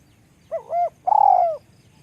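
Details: A single call from a small-voiced spotted dove: two soft, rounded coos in quick succession, then one longer, slightly pulsing coo that drifts downward in pitch.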